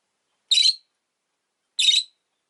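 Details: Two pet rosy-faced lovebirds sitting close at an entrance make two short, rasping shrill calls about one and a quarter seconds apart against silence.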